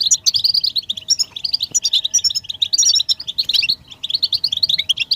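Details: Goldfinch group calls of mating readiness, used to stimulate singing: bright, bubbling chirps in rapid clusters, pausing briefly about halfway, over a faint low hum.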